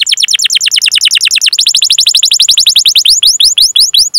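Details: Long canary roll used to train other canaries to sing: fast repeated downward-slurred whistles, changing pitch midway, then slowing into spaced rising-and-falling sweeps.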